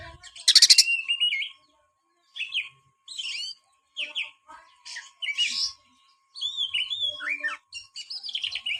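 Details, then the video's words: Magpie-robin (kacer) song meant to stir a lazy bird into singing: separate short bursts of whistles and scratchy chatter with pauses between phrases, softer overall, over a faint steady low hum. "buat burung Kacer anda yang malas bunyi"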